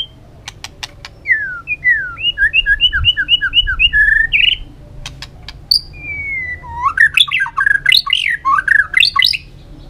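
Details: White-rumped shama in a long, many-voiced forest song: sharp clicks, a rhythmic series of repeated looping whistles, a drawn-out slide, then a jumbled burst of rapid swooping notes.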